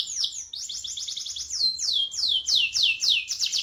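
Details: Canary in full rolling song, played as a lure to coax silent canaries into singing: loud high downward-sweeping notes repeated about four times a second in quick series, with a faint low background hum.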